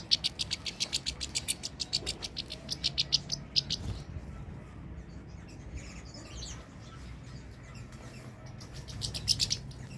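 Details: European goldfinch singing: rapid series of short high, bright notes, about three to four per second for four seconds, then a pause with faint background hum before a brief renewed burst of twittering near the end.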